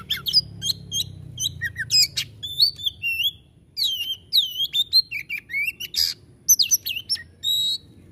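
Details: Oriental magpie-robin (kacer) in lively tembakan-style singing: a dense run of varied whistles, sharp rising and falling sweeps and short chattering notes, delivered in rapid bursts with brief pauses and a faint low rumble underneath.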